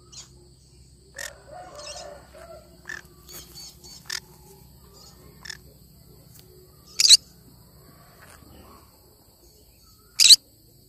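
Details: Cinnamon green-cheeked conure making scattered short chirps and soft sounds, then two sharp, loud, harsh screeches about three seconds apart.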